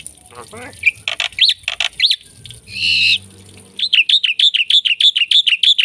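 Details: Black-winged myna singing in full, varied song: a few harsh buzzy notes and rising whistles, then a fast run of evenly repeated, clear chirping notes at roughly three per second.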